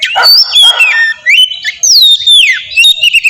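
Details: Oriental magpie-robin singing in a lure recording intended to trigger a reply: clear descending whistles, rising slurs and scratchy notes in short varied phrases.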